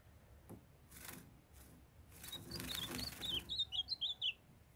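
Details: A kept female ultramarine grosbeak calls to stimulate a young male that sings; after rustling and rubbing noises, a run of short, sharp, high chirps grows louder and quicker toward the end.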